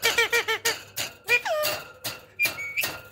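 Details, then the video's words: A talking Indian parrot, a known mimic, gives rapid chattering notes about three per second, then a long sliding squeal and a rising whistle, all close and loud in a small room. "A talking Indian parrot"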